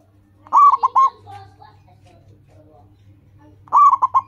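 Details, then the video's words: Local zebra dove in strong song, meant to stimulate other caged doves to sing. Two quick phrases of four bubbling coos each are separated by about two and a half seconds of faint low calls. "Perkutut lokal gacor, suara seperti ini bagus sekali untuk melatih burung perkutut cepat bunyi."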